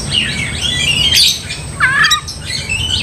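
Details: Oriental magpie-robin song intended to provoke another magpie-robin to fight, quieter here: smeared warbling whistles, a sharp downward slur in the middle, over a steady background hiss.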